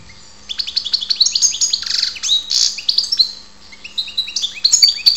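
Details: Goldfinch song recorded at Ptolemaida, Greece: after a brief silence, a fast jumble of twittering notes, a scratchy buzz and clear rising whistles.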